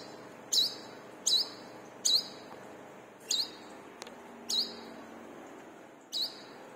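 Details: Lure song of a brown-throated sunbird for caged birds: high, slurred chirps repeated roughly every second, each note bending downward then up.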